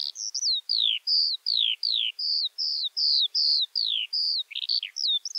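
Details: Eurasian skylark (Alauda arvensis) delivering a string of clear, high whistled notes that slide downward, repeated about two or three per second, ending in a brief jumble of chirps.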